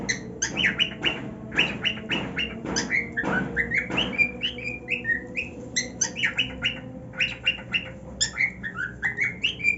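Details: Happy male cockatiel on his new nest mixes harsh squawky bursts with sweet whistled notes in quick succession, the whistles growing steadier toward the end, against soft background music.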